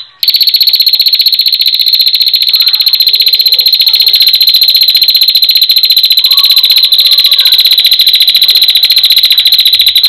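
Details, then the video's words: Female prinia in a long, lively calling bout, meant to tutor cage birds: a fast, unbroken stream of identical high, dry ticking notes, about four per second, steady throughout after a short silent start. "prenjak betina gacor panjang istimewa"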